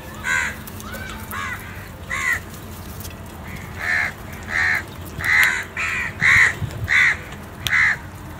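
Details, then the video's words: Crow calling other crows for food while the flock feeds together; a dozen loud, raspy caws, sparse at first then coming in a quicker run of nasal, grating notes roughly every half second, low rumble behind. "crow calling other crows for Food"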